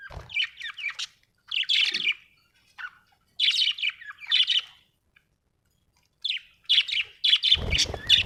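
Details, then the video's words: Happy budgerigar chirping in bursts of rapid warbling, twittering notes separated by short pauses, ending with a harsher noisy squawk. "Happy budgie chirping sound"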